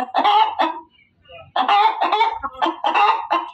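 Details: Loud hen vocalising with harsh, rasping squawks, a brief quiet gap, then another quick series of repeated grating notes.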